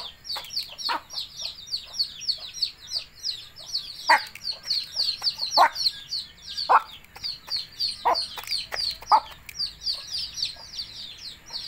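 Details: Hen calling her chicks to eat: low, short clucks in scattered bursts, loudest mid-way, beneath a constant stream of high, thin, falling peeps from the chicks.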